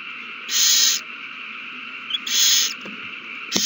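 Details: Owls in a prey frenzy at the nest after a mouse is found and handed over, March 21, 2020. Two loud, raspy hiss-screeches of about half a second each, nearly two seconds apart, with faint clicks and a constant electrical-sounding hum.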